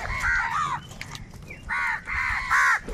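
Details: Crows fighting over food call in drawn-out, nasal caws, three or four long bursts in quick succession with brief pauses, and faint background noise.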